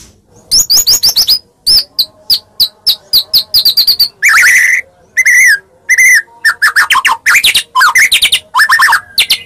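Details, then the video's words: Singing Medan white-rumped shama used to make other shamas answer: quick staccato whistles in steady runs, broken by harsh buzzy bursts and looping, warbling phrases. "Pancingan Tarung Murai Medan Gacor"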